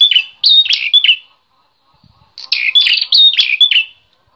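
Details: Energetic bar-winged prinia, a recording used to train and stimulate other songbirds: two rapid phrases of shrill, repeated chirps with bright whistled accents, divided by a short quiet spell.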